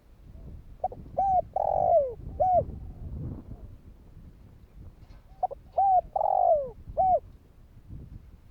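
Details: Two spotted dove phrases of kích bổi calling, meant to set other doves calling: short pips leading into coos and a long descending slurred note, with a rustling, rumbling background throughout.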